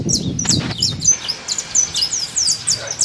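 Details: Wild saffron finch singing free in nature: rapid high chirps and short downslurred notes repeated in a steady run, with a rumble of low noise at the start.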